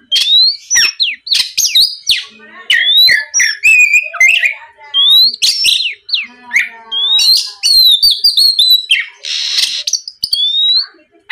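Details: Oriental magpie-robin lure song to trigger singing in other magpie-robins: long run of high whistled notes, rising and falling slurs, clicks and a raspy burst near the end, nearly continuous.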